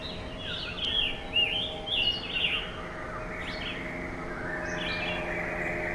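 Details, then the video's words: Scarlet tanager perched in a tree gives a few hoarse, burry phrases at mid-high pitch over the first three seconds; a steady background hiss and faint distant bird notes follow. "A scarlet tanager is sitting on a tree with an original chirping sound."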